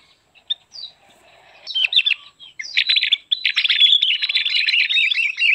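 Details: Javan grey-throated white-eye singing, a recording used as lure and training song: a few scattered high chirps, then an ever denser, fast, high-pitched twittering chatter that runs without pause to the end.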